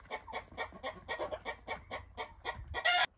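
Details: Chickens feeding on broken eggs give a quick regular series of clipped clucks, roughly four a second, ending in a brief loud rasp.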